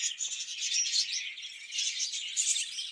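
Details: Breeding budgerigars in a cage produce a busy, overlapping stream of high, squeaky warbles and short chirps from several birds at once.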